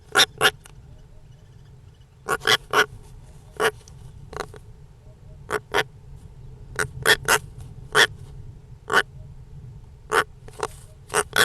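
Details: Series of harsh, rasping calls from European rollers, loud dry bursts often paired and repeated irregularly over eleven seconds, with a soft low hum underneath.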